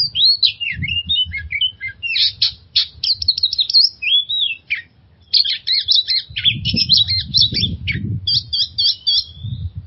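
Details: Long stretch of oriental magpie-robin song used to make stressed kept birds sing; dense chattering and whistled phrases, a brief pause, then rapid repeated scratchy notes, over low handling noise.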